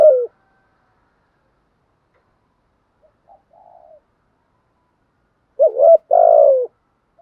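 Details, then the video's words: Spotted dove, bản thúc song style with coos: a long quiet gap with faint soft murmurs, then one full deep phrase, a wavering coo followed by a drawn-out falling coo. "chim cu gáy bài bản thúc với gù"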